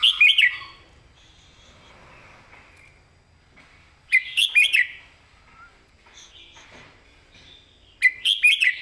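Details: Red-whiskered bulbul, a caged competition bird, singing its master-pattern song: loud bright warbled phrases repeated about every four seconds, with faint whistles between.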